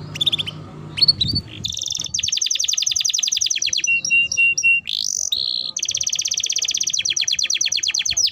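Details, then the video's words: Canary singing a lure song meant to get other canaries singing quickly: brief high chirps open into long, rapid rattling trills, broken by short slurred whistles before another fast, buzzy roll. "Pancingan Suara Burung Kenari Gacor || Ampuh Rangsang Kenari Cepat Bunyi"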